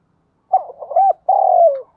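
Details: Calling coo of a caged decoy spotted dove in thúc bổi style: a wavering, stuttered opening, a rounded arched note, then a long steady coo sliding downward at the end.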